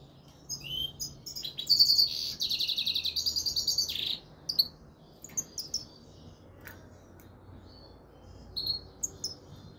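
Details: European goldfinch of subspecies frigoris singing: a fast, bright, buzzy trill of high twittering notes lasting about two seconds, then scattered sharp chirps, over a low background hum.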